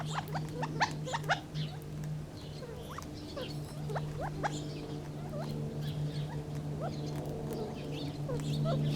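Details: Soft, rapid chatter of Gambel's quail: brief rising and falling chip notes, about two a second and unevenly spaced, over a constant low mechanical drone.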